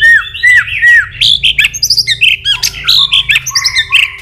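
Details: Excited White-rumped shama, a kept bird urged into a fired-up many-voiced song, gives loud slurred whistles that dip and rise, then a rapid string of sharp chirps and clipped notes at varied pitches, with a steady low hum behind.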